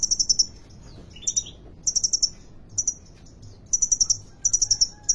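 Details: Caged sunbird (kolibri ninja) singing actively at Depok bird market in Solo, Indonesia: bursts of three to six very high, sharp metallic chips, with a brief lower descending twitter and short pauses between bursts.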